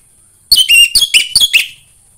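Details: A short, fast phrase of Orange-headed thrush song, with about six quick bright whistled notes, some slurred downward. It is meant to prompt other thrushes to sing.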